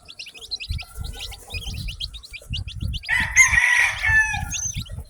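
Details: Shrill chirps from a batch of newly hatched chicks run fast and uneven at first, then a loud rooster crow breaks in over the peeping, with low muffled thumps throughout.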